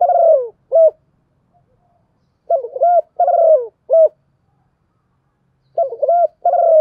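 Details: Spotted dove giving its lure call to provoke other doves; low, mellow cooing phrases of two or three rolling notes come in short bursts separated by gaps of one to two seconds, against a silent background.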